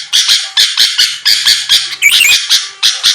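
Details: Sooty-headed bulbul song used as a lure to provoke a quick response from rival birds: rapid series of harsh, chattering bursts, about a dozen in three seconds, with a brief higher twittering flourish near the middle.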